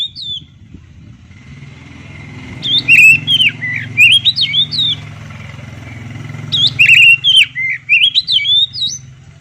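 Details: Oriental magpie-robin song in two loud bursts of quick, twisting whistled notes and chips, separated by a quieter stretch with a steady tone, over a continuous low engine-like rumble.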